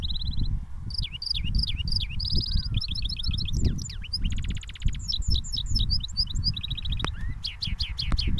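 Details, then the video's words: Goldfinch hybrid kept caged, singing cage to cage: a varied run of short trills, slurred twitters and a dry buzzy rattle mid-phrase, ending with rapid sweeping notes, against continuous low-frequency rumble. "Mulet chardoneret phenomene chant magnifique(cage a cage) هجين حسون فينومان غناء بلبل روعة"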